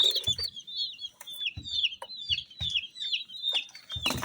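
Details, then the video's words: Rainbow-coloured baby chicks give a steady stream of piercing, descending cheeps from several birds at once, with dull thuds and scraping at intervals. ""Chicks Chirping" Sound"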